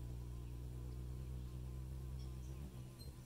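A Ruby-throated hummingbird's steady, low buzzing wing hum drones throughout, like a large bee. Possibly a couple of faint, tiny high chips near the end.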